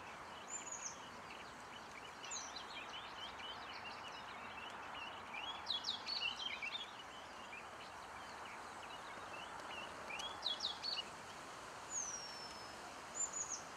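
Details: Eurasian penduline tit (Remiz pendulinus) nearly finished building its nest at Källtorp wetlands near Falkenberg, Sweden, 2013: thin, high, drawn-out descending whistles, with twittering chirps from other small birds and a steady background hiss.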